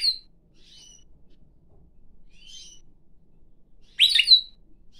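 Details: Pine grosbeak kept as a pet, singing on its owner's hand: soft thin whistles for most of the stretch, then one loud warbled phrase near the end.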